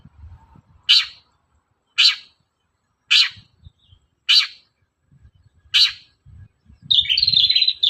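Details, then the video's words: Long-tailed shrike calling in the morning, used as a lure to set other shrikes singing: five harsh, scratchy notes spaced about a second apart, then a longer buzzy chattering phrase at the end. "SUARA PANCINGAN BURUNG CENDET GACOR PAGI HARI"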